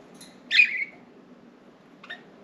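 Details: Four pet budgerigars loose indoors, perching on window blinds and flying around their cage; a loud raspy chirp with a falling tail, then a short faint chirp about a second and a half later, in a quiet room.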